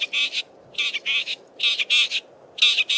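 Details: A male Southern fiscal singing in Belmont Valley, Eastern Cape, harsh, scratchy, high-pitched notes in quick clusters of two or three with brief pauses, mimicking many local birds.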